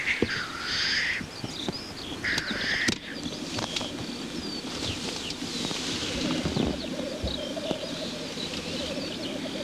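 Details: Black grouse cock displaying at a lek: two harsh hissing sneezes open the recording, followed by faint distant bubbling rookooing under rustling background noise and scattered bird chirps.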